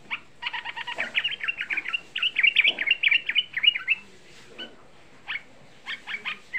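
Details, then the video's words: Young sooty-headed bulbul used as a lure to excite other bulbuls: a fast string of sharp, slurred chirps for about four seconds, then scattered single notes after short gaps. "Suara Pancingan Trucuk Muda Ampuh Menaikkan EMOSI, Suara Trucuk Muda Bikin Semua trucukan EMOSI"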